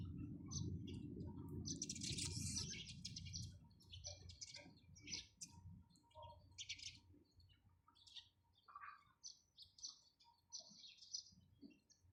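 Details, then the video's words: Sparrow chirping: an opening loud burst of chattering, then spaced bright chips repeated irregularly, with a faint low hum. "চড়ুই পাখির কিচিরমিচির শব্দ Chirping sound of sparrows"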